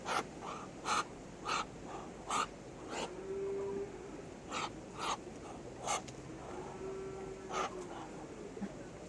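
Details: Muscovy duck producing odd noises: sharp breathy hisses in irregular bursts, with a short hum-like tone held twice between them.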